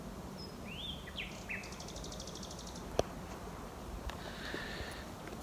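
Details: From dense hedgerows at Knepp, West Sussex, on a May 2018 night, a territorial male nightingale gives a short whistled, slurred phrase and a quick rattle, followed by quieter notes and a single click.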